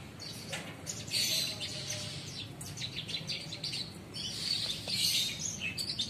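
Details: Caged Horsfield's bush lark (branjangan), kept under a month, singing on Friday 24 September in the njeplak style. Dense, high-pitched, rapid chirping and trilled phrases come in bursts, with faint low background noise.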